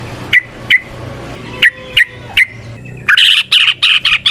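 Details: Yellow-vented bulbul singing in a long, continuous style, used as a lure recording to stimulate other bulbuls: short sharp notes near mid-high pitch spaced irregularly, then a dense burst of rapid harsh chattering at the end.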